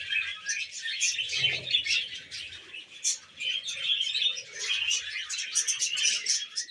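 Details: Happy pet budgerigar chatter: dense, continuous warbling and chirping, busy scratchy twitters layered with brief high squeaks, running without pause, with faint low thumps early on.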